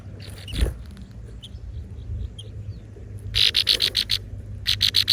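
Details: Hungry chicks in a nest being fed by parent birds: short bursts of rapid, sharp high chirps after a quieter stretch with faint scattered peeps and a low rural hum.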